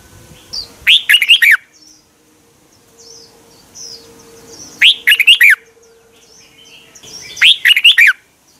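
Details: Caged red-whiskered bulbul song played to stimulate other caged birds, Thailand: three short bursts of rich, bubbly, warbled notes, each about half a second long, spaced several seconds apart, with faint high chirps between.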